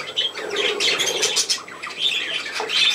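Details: Playful pet budgies indoors: dense, high, scratchy warbling with clicks and short squeaky chirps running without pause.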